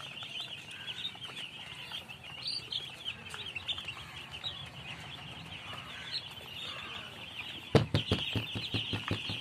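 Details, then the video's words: Baby chickens peeping in a dense, continuous chorus of high, quick chirps from many chicks, with a run of sharp tapping knocks near the end. "Baby Chicks Chirping Sounds"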